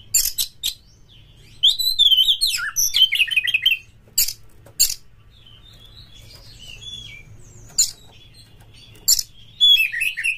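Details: Kacer (Oriental magpie-robin) lure singing meant to trigger birds in breeding condition: sharp clicks mixed with bursts of fast warbled whistles, a quiet middle stretch of soft notes, then more clicks and whistled phrases.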